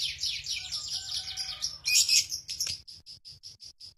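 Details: Lovebird giving a long ngekek trill of the kind prized in song contests and used to tutor other songbirds: dense, rapid high chattering, a louder burst near the middle, then separate sharp chips repeated quickly at the end.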